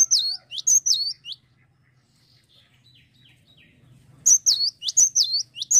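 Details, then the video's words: Cinereous tit singing vigorously: bright, high whistled two-note phrases, each swooping down, repeated in quick bursts, then a pause of nearly three seconds before another run of the same phrases. Low background hum. "GELATIK BATU LAGI GACOR"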